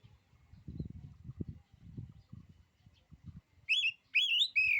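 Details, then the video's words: ['Oriental magpie-robin with a song said to cow rival males of its kind: soft low knocking and rustling, then a few bright, fast whistled phrases, swooping upward and twisting, at the end.'] "kicauan kacer ini, bikin nyali kacer lain jadi ciut."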